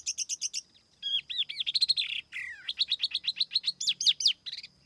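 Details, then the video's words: High, lively song of a tiểu mi laughingthrush used as a lure, with no background noise: a rapid series of clipped chirps, then a tumbling stream of slurred whistles, rising sweeps and fast repeated notes. "TIẾNG CHIM TIỂU MI MỒI KHÔNG TẠP ÂM CỰC CHUẨN"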